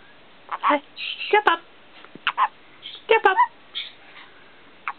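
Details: Pet male black-capped caique indoors repeating the words "step up", a phrase he practises constantly: short harsh speech-like syllables in pairs, with a few squawky notes between them.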